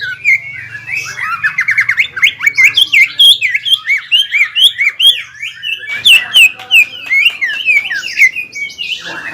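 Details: Greater green leafbird kept caged and singing to provoke a rival: a long, busy stream of rapid whistled and slurred notes, bright and varied, with sharp clicks toward the end and a low hum early on.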